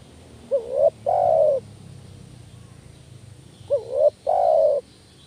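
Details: Spotted dove call used for luring: a quick rising coo, then a sustained, slightly falling coo, with the two-part phrase heard twice, roughly three seconds apart, against faint steady hiss.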